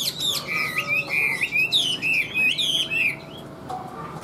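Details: Chinese hwamei, caged, large with yellow legs and bill, tail-flicking while singing: loud slurred whistled phrases repeated in bursts, sweeping up and down, ending abruptly in quieter background noise.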